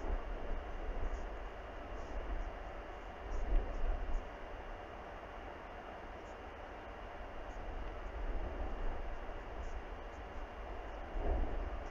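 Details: Steady low wind rumble with faint noise throughout, no animal calls heard.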